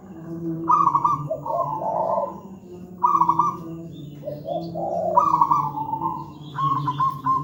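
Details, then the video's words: Zebra dove, a local wild bird with a big, thick voice, used to train doves that are not yet singing: three loud, rolling trilled coo phrases about two seconds apart, each ending in deeper bubbling notes, with low background hum. "Masteran burung perkutut manggung gacor"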